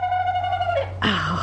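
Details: Rooster wearing a no-crow collar that reduces but doesn't eliminate crowing gives a muffled, strained crow: a steady, hoarse tone sagging at the end, then a rougher falling-and-rising note, with a low hum underneath.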